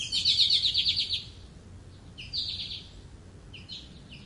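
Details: American goldfinch delivering a fast, buzzy trill of rapidly repeated high notes lasting about a second, followed by two shorter buzzy phrases after brief gaps.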